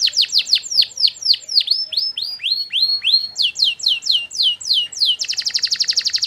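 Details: Master song of a canary, long in duration, for other canaries to answer. Loud downswept sweeps repeat and gradually slow, then switch to a rapid, high, buzzy trill.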